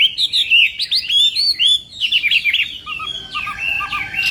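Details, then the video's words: Chinese hwamei practising its song in the morning for a singing contest: quick, varied whistled phrases and slurs, with a few low paired notes near the end. "Hoạ Mi Hót Đấu /hoạ mi hót sáng luyện giọng"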